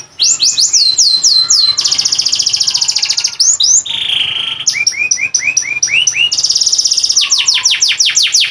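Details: Kept canary, a competition bird whose long song is used as a master for training other birds, delivering high, rapid whistled trills: falling slurred notes, sustained buzzy rolls and quick repeated chips changing every second or two.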